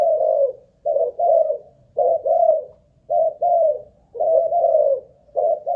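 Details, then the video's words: ['Caged spotted dove of Malaysian stock, a ground decoy bird, tested for cooing stamina: low mellow coos in paired and triple notes, phrases repeated about every second with short pauses, indoors, no other sounds.'] "Cu Gáy Mồi Đất || Test nước bền chim cũng thấy khá ổn"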